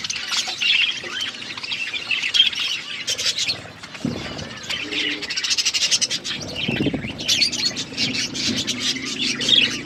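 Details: Several budgies chatter continuously as they eat, high scratchy chirps and warbled squawks overlapping, broken by brief low thuds and rustles.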